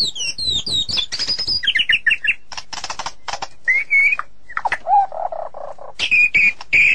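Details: White-rumped shama delivering a rapid medley: high descending trills, short warbled notes, dense clicking bursts, then low burry phrases and bright repeated whistles near the close.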